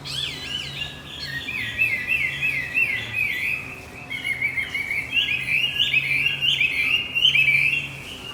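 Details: Javan white-eye singing as a lure for a male that has gone quiet: an unbroken, lively stream of high twittering and wavering chirps, varied and rapid, with a low humming drone in the background.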